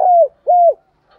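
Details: Decoy spotted dove used daily to lure wild doves: two loud, low hooting coos, each a steady tone that drops at the end, about half a second apart, in a quiet setting.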